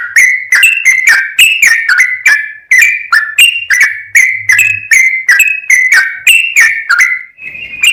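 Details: Sooty-headed bulbul in energetic 'full ropel' song: a dense, steady chain of liquid whistled notes, each bending up or down, pouring out for several seconds, ending on a thin drawn-out note.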